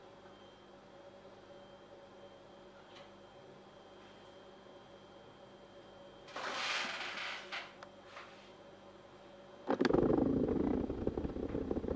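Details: A steady low hum with a burst of rustling noise midway, then loud thumping and scraping like a door or handling noise; no animal calls.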